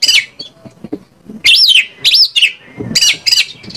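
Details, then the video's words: Oriental magpie-robin song from Indonesia, used as a lure to provoke other magpie-robins into singing: a harsh high burst, then loud arched whistled phrases rising and falling, repeated in quick pairs with short pauses. "PANCINGAN KACER AGAR ON MAU NGOBRA !! KACER MANAPUN PASTI LANGSUNG NYAUT..."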